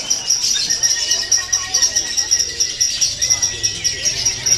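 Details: Lovebird singing at a contest anniversary event in a sustained narik kelar style: an unbroken shrill, buzzy chatter at a high steady pitch that pulses rapidly, over a background of voices and crowd murmur.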